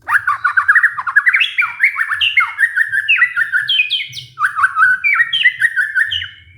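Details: White-rumped shama lure song played to coax a stressed shama that has stopped singing: a long, rich, varied stream of whistled slurs and quick notes that steps up in pitch, drops, and climbs again.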